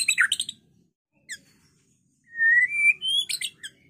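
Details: White-rumped shama, a lively singing bird used to provoke other birds to fight and sing, giving a burst of sharp chirps, then a rising whistled phrase and scratchy high notes with short silences between.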